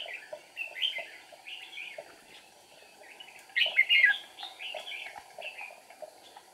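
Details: A decoy red-whiskered bulbul, singing at a trap on 8 April 2019 to provoke wild rivals while flicking wings and tail; repeated short whistled phrases, building to a loud tumbling warble in the middle.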